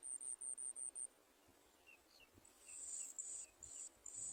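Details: Bar-winged prinia chicks begging while their mother feeds them: quick trains of piercing, high-pitched squeaks, a short lull with scattered softer chirps, then louder shrill squeaks resuming.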